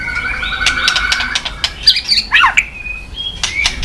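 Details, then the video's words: Tail-flicking white-rumped shama in a recording for stirring other shamas to sing; held whistled tones, then a tumbling burst of squeaky chatter and a thin final whistle, with sharp clicks. "chòe lửa tạch đập đuôi sàn cầu dùng kích lửa cho chòe lửa lên lửa cực nhanh hót.Chòe Lửa đánh đuôi"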